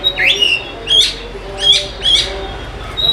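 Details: Oriental magpie-robin, played as a lure to spur reluctant birds into song: four short sharp whistled chirps roughly every half second to second, each a quick upward flick with a thin high tone, over low hiss.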